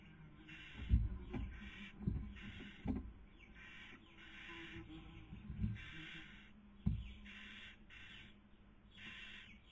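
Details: In Cabañeros National Park, Spain, during the 2020 breeding season, a female barn owl feeds while the male tries to sleep; repeated harsh hissing screeches of varied length, punctuated by several loud knocks and scrapes.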